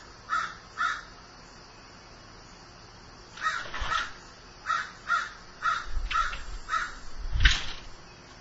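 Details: Crow said to be grieving caws repeatedly in harsh, uneven groups, with some calls doubled, alongside low thudding knocks in the background.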